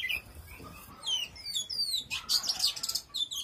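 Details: Oriental magpie-robin singing powerfully: high whistled notes and rapid slurred twittering phrases, with a louder burst of dense warbling near the end.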